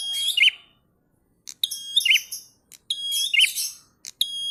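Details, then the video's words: Prinia singing in the prolonged ngalun style, in full voice: three bright, high phrases, each a steady whistled note dropping into a short buzzy flourish, separated by brief pauses with a few sharp clicks. "Prenjak Gacor Ngalun Syahdu"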